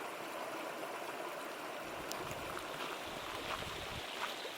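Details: Running water rushes and gurgles steadily throughout, with no animal call standing out.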